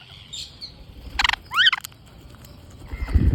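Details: Green parrots at feeding time: a noisy burst, then two quick rising, ringing notes with clear overtones, ending in a low thud of handling noise.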